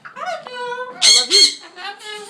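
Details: A talking bird in a pet shop gives voice-like tones with rich harmonics, broken by two harsh, loud squawks in the middle, with people nearby; birds there say "I love you" and laugh.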